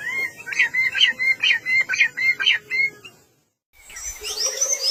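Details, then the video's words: Birds chirping in a peaceful morning setting: a rapid series of varied whistled and twittering notes for three seconds, a brief pause, then fainter high twitters. "RELAXING BIRD CHIRPING SOUNDS"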